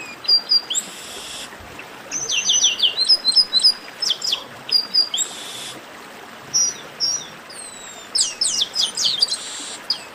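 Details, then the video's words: Chestnut-capped blackbird in esquenta (warm-up) singing: clear high whistles, short downslurred notes and quick trilled bursts repeated irregularly, with a buzzy rasping phrase near the start and faint background hiss. "Melhor Esquenta de Garibaldi"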